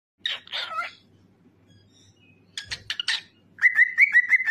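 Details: Pet cockatiel singing: harsh chattering notes, a pause, then rapid clipped chirps leading into a series of bright whistled phrases wavering around a steady mid pitch.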